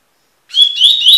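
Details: A double-collared seedeater (Sporophila caerulescens) begins its "tui-tui" song after a brief silence, with clear, high whistled notes, each slightly rising, run together in quick succession, used for tutoring other birds.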